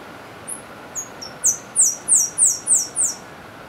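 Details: Saffron-billed sparrow song, a forest-interior bird of central-western Brazil: a few thin, very high introductory notes, then a quick run of six sharp, down-slurred sibilant notes, about three per second.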